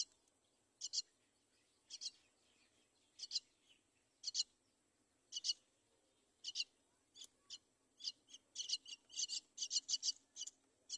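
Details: Mother myna bringing her chick to the side of the nest; high, thin squeaky chirps in short bursts, spaced irregularly at first, then quickening into a rapid run of repeated chirps near the end.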